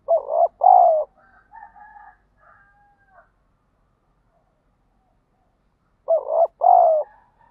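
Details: Spotted dove luring and fighting call: a loud low two-part coo, then faint higher drawn-out tones for about two seconds, silence, and the two-part coo again near the end.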